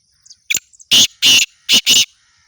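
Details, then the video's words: Black francolin calling: a tight run of four harsh, grating broadband notes, two short bursts then two longer ones, preceded by a few faint chirps, all within about two seconds. "kala tater کالے تیتر کی خوبصورت آواز"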